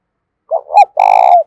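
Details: Decoy spotted dove, 'giọng thổ sấm' style, used to get wild doves cooing; one clear close phrase of two short notes followed by a long, buzzy, throaty coo.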